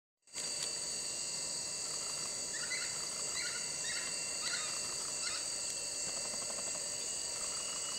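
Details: Great slaty woodpecker pair in courtship display, giving a run of short, sharp, mid-pitched notes about every half second, over a steady high insect drone.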